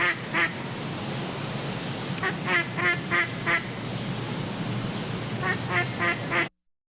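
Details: A duck quacks in a listening-skills exercise: a single nasal quack, then a quick series of five quacks, a pause, and another burst of four, with a constant hiss behind.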